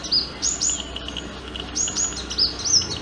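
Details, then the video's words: Sunbird courtship song: thin, high rising notes repeated in quick pairs and triplets, with a short pause midway, over a steady background hiss. "Sunbird - Courtship Song & Acts I Song of Sunbird"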